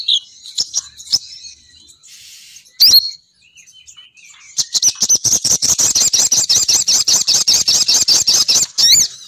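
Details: Female sogon bird lure call used to draw males down, per the recording. High, thin notes at first, then a fast run of sharp, evenly spaced chips, about two or three per second, ending in a brief whistled flourish.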